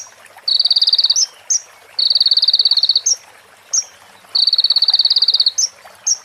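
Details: Sunbird training recording for other birds, with fill phrases of female prenjak and ciblek. Rapid buzzy high trills of about one second repeat three times, each followed by short sharp higher notes. Quiet background, no other clear sounds.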